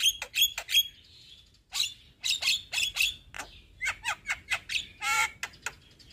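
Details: Young Javan myna singing to train and prompt other mynas: quick bursts of sharp chirps and rasping squawks in clusters, with brief pauses and a buzzy trilled note near the end.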